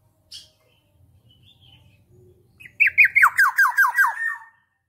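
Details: Black-naped oriole calling actively: after a brief soft note and a quiet pause, about nine harsh downslurred notes come in a fast, even run lasting under two seconds, over a faint low hum.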